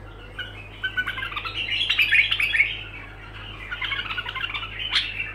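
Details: Continuous bulbul song: quick tumbling phrases of bright, squeaky warbled notes, a short lull, then a second burst ending in a sharp rising note, with a low steady hum.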